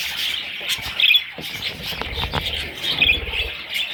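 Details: High, raspy chirping from parrot chicks, swelling into two louder squeaky bursts about two seconds apart, over faint background rustle.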